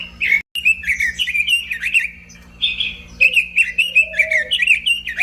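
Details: Robin singing a fast, chattering warble of slurred whistled notes around the mid-high range, with brief pauses and a deeper whistle near the end, over a steady low electrical hum.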